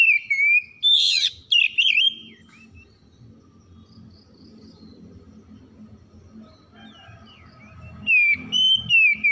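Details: Oriental magpie-robin, an untrained 'bahan' bird, reacting straight away with vigorous 'gacor' singing: loud, clear whistled phrases with rising and falling slurs at the start and again near the end. A long quiet stretch in between holds low rumbling and a faint steady high tone.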